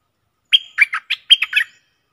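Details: Bulbul (Malay 'merbah lekir') singing a short phrase in a test counting song phrases over 2:34 minutes, 24 October 2021: about seven quick whistled, warbling notes, the first a clear held note, then rolling slurred notes, no other sounds.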